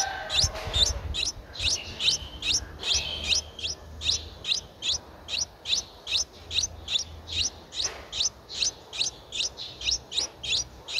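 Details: Streak-eared Bulbul chick, nine days old, recorded 11 April 2023 in Ubon Ratchathani, Thailand. Rapid, insistent high-pitched chirps repeat almost without pause, roughly two to three each second, with a faint low rumble early on.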